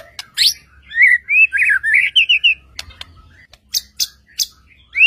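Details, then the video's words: White-rumped shama singing to provoke other shamas into answering: a sharp high note, then a fluid run of slurred whistles wavering up and down, followed by scattered clicks and chips. "murai batu gacor AMPUH untuk PANCINGAN murai batu agar bunyi JADIKAN burung murai gacor EMOSI NYAUT"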